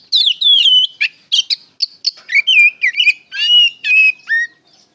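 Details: Oriental magpie-robin singing in the ngeplong style, used as a lure to make untrained young magpie-robins answer: a lively run of clear, rising and falling whistles, short slurred notes and quick chips, delivered without pause.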